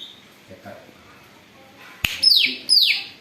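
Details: Greater green leafbird, a noisy singer said to imitate an eagle, its sound used for luring: after near-quiet, a sharp click, then two loud high whistles, each sliding steeply downward, half a second apart.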